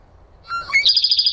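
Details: Bird singing in a Minnesota backyard, caught on a trail camera: a few clear whistled notes at rising pitch lead into a rapid, high, buzzy trill of repeated notes.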